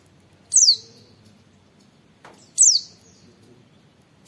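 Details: Oriental white-eye tutor recording of "wit wit" calls used as a lure to get other white-eyes singing: single high, down-slurred whistles spaced about two seconds apart, over a low, steady background murmur.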